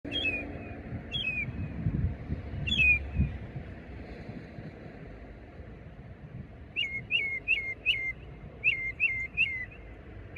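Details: Northern mockingbird singing in a pine tree at Econ River Wilderness Area, Oviedo, Florida, giving clear, downslurred whistles, a few spaced notes then a quick run of about seven alike, over distant traffic rumble.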